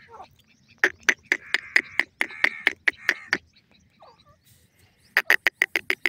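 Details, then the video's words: Francolin pair, Dakhni and Iranian teetar: rapid clipped notes merging into a ringing, grating stretch, a short pause, then a quicker burst of sharp notes. "dakhni teetar jore ki awaz, irani teetar jore ki voice"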